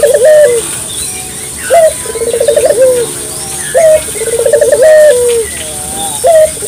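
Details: Local collared dove calls, played as a lure for morning, midday and night: clear rolling coos around a low pitch, each a short rising note then a trembling rolled phrase, repeated about every two seconds, faint chirps of other birds behind.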